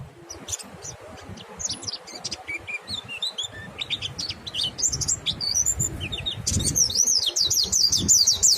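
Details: Mountain white-eye in ngalas song, which prompts other white-eyes to join in: a busy stream of high, quick twittering notes that builds into a loud, fast wavering trill near the end.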